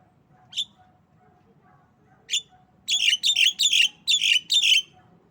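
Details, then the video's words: Black-winged myna, a tame bird, giving coughing and laughing calls: two isolated sharp notes, then a rapid burst of six harsh, chattering squawks around the third second, with a faint steady hum beneath. "Jalak kebo Batuk Dan Ketawa"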